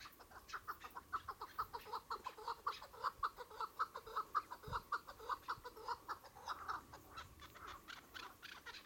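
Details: Chukar partridges calling in a steady, rhythmic run of clipped chuck notes, close to two per second, keeping an even beat for nearly nine seconds, with a single low thump midway.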